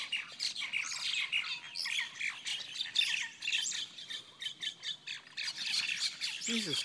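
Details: Large outdoor fight among mynas: a constant jumble of harsh, overlapping squawks and chattering chirps from several birds, ending with a brief human voice.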